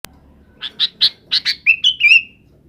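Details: Sooty-headed bulbul calling in the afternoon to gather companions to roost: a quick run of harsh, clipped chirps, then a few liquid whistled notes that slide downward and end in a drawn-out whistle.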